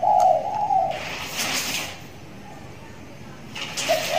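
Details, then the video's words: A six-month-old spotted dove, kept tied in a cage, is beginning to call freely, giving soft, low, hollow coos at the start and end, with bursts of rustling noise and faint voices between them. "tekukur di sangkar layang || ajaran sudah mulai gacor"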